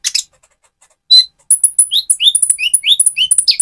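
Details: A spotted-plumaged Van Hasselt's sunbird, kept as a lure to rouse another bird's fighting spirit, gives a single high note, then a fast, very high twittering run of thin whistles and short upslurred chirps.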